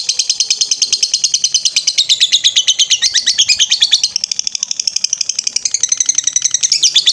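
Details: Lovebird singing in the ngetrek style for a training master recording: a long, fast, unbroken trill of high, buzzy chattering notes, about three pulses a second, steady throughout with slight shifts in pitch.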